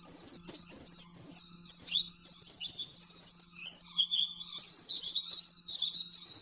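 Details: Oriental white-eye, locally pleci, rapid-fire master song for training caged birds: a continuous, very high, twittering stream of quick rising and falling whistled notes with hardly a break, over a faint low hum.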